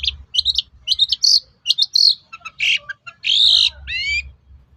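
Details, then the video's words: Long-tailed shrike song used to provoke other shrikes into replying: a varied medley of sharp high chirps, buzzy rasping notes and short rising whistles in quick bursts with brief pauses. "SUARA PANCINGAN BURUNG CENDET AGAR MAU NYAUT GACOR"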